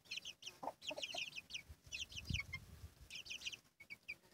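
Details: Hen with her chicks: clusters of quick, high, thin chick peeps in bursts, separated by brief pauses, with occasional low clucks and some faint low rumbling.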